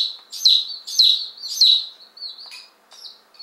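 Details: Newly arrived one-day-old Appenzeller Spitzhauben and White Crested Blue Polish chicks, fifteen in all, recorded May 19 2015; three loud, sharp falling peeps about half a second apart, then softer, thinner peeps trailing off.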